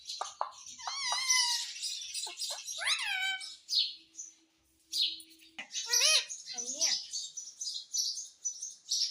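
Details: Pet talking parrot in a noisy run of chattering, raspy squawks and ringing harmonic screeches, repeated with short gaps, and a soft steady hum in the background; indoors.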